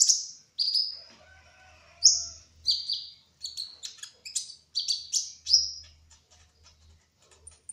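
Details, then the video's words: Olive-backed sunbird, the spotted trotol form, singing continuously in ngerol style: bright sharp chirps repeated about every half second, each note a quick falling slur, with brief gaps between bursts. "Kolibri Ninja Trotol Gacor Ngerol : Singing Hummingbird"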